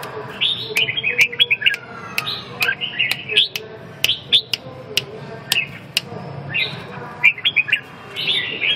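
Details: Red-whiskered bulbul giving short warbled song phrases, mixed with sharp clicking taps at intervals and a constant low hum.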